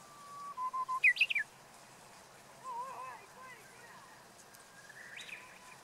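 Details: Japanese bush warbler singing a clumsy, unskilled song: a level low whistle, then a quick rising and twisting chirpy flourish. Fainter warbled notes follow, and the background is quiet and outdoors.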